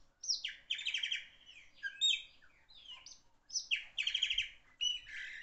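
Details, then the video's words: Loud chopi blackbird song in three bursts: each opens with a sharp whistled note, then runs into a buzzy, rattling trill with scratchy high notes, separated by brief pauses. "Black bird song, beautiful bird song"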